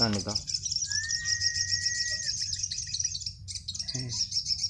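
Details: Sunbird in a singing contest at about four in the afternoon, near roosting time when it is reluctant to sing: high, thin, buzzy trilling almost without pause, one clear drawn-out whistle, and brief human voices at the start and near the end.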